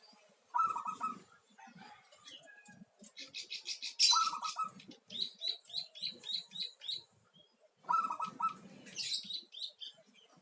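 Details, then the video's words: Local zebra dove repeating its quick, rattling coo phrase three times over ten seconds, while another bird keeps up a rhythmic series of high, sharp chirps in between. "merdunya suara perkutut lokal"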